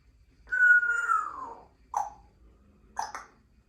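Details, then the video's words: A pet female Congo African Grey Parrot, three years old, makes a long whistle that slides gently downward, then a short squawky note and a quick pair of chattering syllables in a quiet room. "African Grey Talking Baby Parrot"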